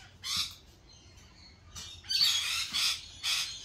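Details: Lorikeets at a cafe giving harsh, broadband screeching squawks in short bursts, with a louder overlapping cluster in the second half.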